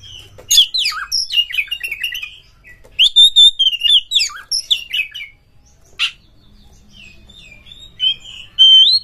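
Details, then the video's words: Oriental magpie-robin (kacer) song for rousing a bird to sing and fight; loud varied whistled phrases and chatter for five seconds, a harsh burst, then quieter thin whistles. "PANCINGAN KACER TOP untuk DONGKRAK EMOSI Bongkar Materi Tarung Ngotot Gacor Buka Ekor bikin NGEPLONG"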